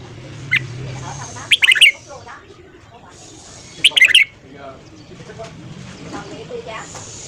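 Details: Red-whiskered bulbul giving morning song: two dense, bubbling bursts of rapid whistled notes about two seconds apart, with faint murmuring and low background noise between them.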